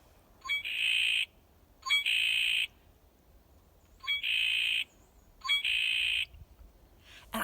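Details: Red-winged blackbird, a bird often heard near water, at a school forest bird-watching station gives four harsh phrases, each a couple of short clipped notes run into a buzzy, rasping trill, repeated about every one and a half seconds.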